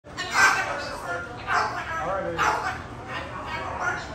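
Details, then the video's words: Pet Moluccan cockatoo at home, talking and being cute: a string of four or five harsh, speech-like voiced phrases, each bright and broadband, coming roughly once a second with brief pauses between. "Moluccan Cockatoo Parrot “Talking”"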